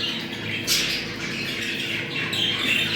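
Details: Budgerigar mating chatter used to stimulate breeding: dense, scratchy warbling with a sharp squawk burst at about 0.7 seconds and a rising chirp near 2.3 seconds, over a constant low hum.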